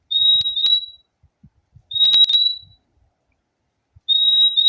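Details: Purple-throated euphonia (fim-fim) singing: three clear, high, steady whistled notes, each about half a second long with a slight double-note break, spaced about two seconds apart, with faint low thumps in between.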